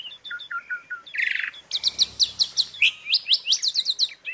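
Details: Asian pied starling filler song for training caged birds. Spaced short whistles lead into a harsh buzzy burst, followed by a brisk series of sharp, rising chirps repeated several times a second.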